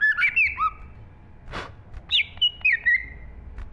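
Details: A green leafbird's song from 2023: quick slurred whistles in two short phrases, separated by a brief burst of broad noise, each phrase with a few bright notes sliding downward.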